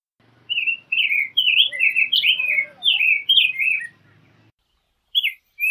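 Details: Rose-breasted grosbeak song, a rapid string of rich, robin-like slurred whistles lasting about three and a half seconds, followed by a pause and the start of another phrase; low background hum.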